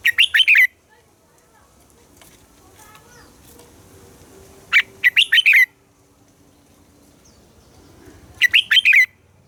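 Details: Morning song of a red-whiskered bulbul, double-note wild style, played to train caged bulbuls: three bright, bubbly warbled phrases, each under a second long, spaced about four seconds apart over faint background hiss.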